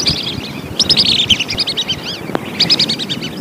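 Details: Lesser whistling duck calls for luring birds: a chattering sequence of high whistled notes, one longer run then a shorter one, over steady low background noise.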